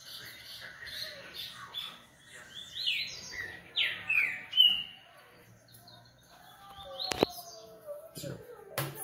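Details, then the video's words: Coleiro, a Double-collared Seedeater from a Brazilian breeding aviary, giving clear slurred whistles and chirps in short phrases, interrupted by several sharp clicks or knocks. "Coleiro Artilharia e REVELAÇÃO"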